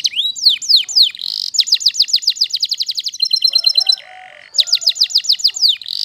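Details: Waterslager canary singing sweeping whistles and a long run of rapid repeated notes, pausing briefly before resuming the fast trill.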